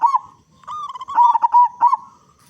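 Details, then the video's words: A big-voiced local zebra dove sings as a lure to get other zebra doves calling. A single phrase of soft cooing is broken by quick, stuttering louder notes at an even mid pitch. "Perkutut Lokal Gacor Suara Besar Pancingan Burung Perkutut Agar Cepat Bunyi"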